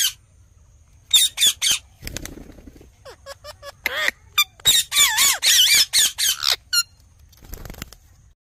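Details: Talking Indian ringneck parakeet in a lively sequence: sharp screeches, low wavering dipping notes, then a long, dense stretch of loud rasping squawks and warbled tones, tailing off to single squeaks.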